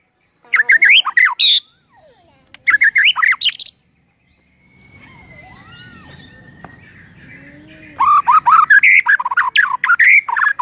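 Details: White-rumped shama singing as a morning lure to start other birds singing: quick bursts of varied whistled phrases, a quiet stretch with soft drawn-out whistles and low background noise, then another dense run of rapid notes.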